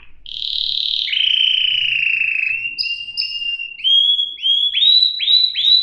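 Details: Canary song: a long clear whistled tone that drops to a lower sustained note, short repeated whistles, then a quickening run of sweeping notes.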